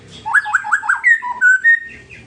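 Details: White-rumped shama singing kretekan, a song style used to provoke rival birds: four quick rattling notes in a repeated series, then clear whistled notes rising and falling at mixed pitches.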